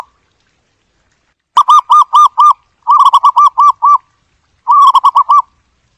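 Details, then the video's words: Zebra dove call played as a survey lure: three clipped phrases of rolling, trilled coos, five to eight notes each, starting after a short silence, clean and without other sounds. "Tiếng chim cu vằn, Tiếng cu vằn mồi"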